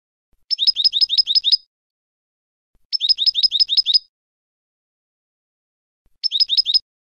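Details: European goldfinch performing clean contest song, used to tutor young goldfinches: three bursts of rapid, high twittering notes, each burst a quick run of about six identical chirps repeated fast, separated by silent pauses.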